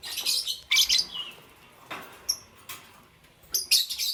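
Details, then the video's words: Morning chirping of green, yellow and lutino lovebirds: a few loud, harsh, high chirp bursts separated by brief quiet gaps, with soft clicks between. "Lovebird Chirping Sounds"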